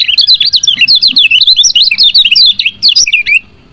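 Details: Continuous bright, rapid chirping of a female lemon-bellied white-eye, used to prompt males to sing; sharp up-and-down notes packed tightly for over three seconds, with a faint low tone at the start.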